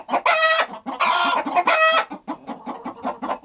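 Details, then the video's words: Several chicken calls overlap: three long, raspy, harmonic squawks in the first two seconds, followed by a rapid series of short, low clucks that fade slightly toward the end. "The sound of chickens."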